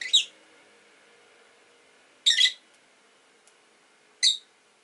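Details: Three loud, shrill chirps, each a short harsh burst about two seconds apart, from caged rosy-faced lovebirds in a group of five kept indoors beside a window, with quiet room hum between them.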